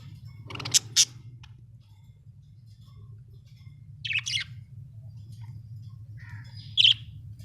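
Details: Pet budgerigar, said to be happy, making a few sharp high chirps and squeaks, some reaching very high, separated by quiet pauses with a low hum underneath.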